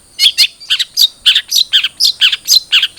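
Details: Long-tailed shrike (cendet trotol) song meant to get a caged bird singing: paired harsh chattering notes repeated about twice per second, rich and buzzy, with a faint steady high tone.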